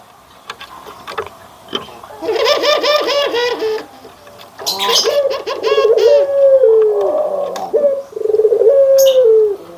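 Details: Barbary doves, white and brown kept birds compared, giving anggungan coos: quick stuttering call notes, then longer low coos that slide downward near the end.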